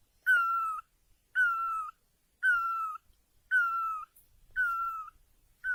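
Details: Great barbet in Asia: a loud, mournful, wailing note, each about half a second long, starting slightly higher and sliding gently down, repeated steadily about once a second, six times in a row over an otherwise quiet background.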